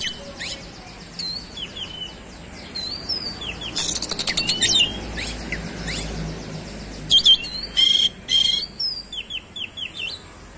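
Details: Oriental magpie-robin in fast 'roll speed' song revealing its fill repertoire: quiet slurred whistles, a rapid rattling sequence, then loud clipped notes and a string of looping chirps.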